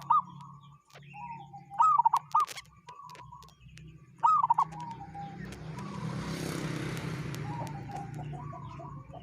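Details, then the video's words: Local wild zebra dove uttering its unusual call: several quick, rolling cooing phrases of three or four mid-pitched notes, repeated every two to three seconds, with flat whistles between and low engine-like rumble increasing later. "Perkutut lokal suara aneh"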